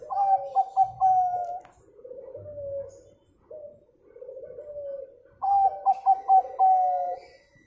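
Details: Local zebra dove song played to coax other birds into singing: bursts of quick stuttering coo notes followed by slower drawn-out purring coos, the pattern repeating, with faint low thumps.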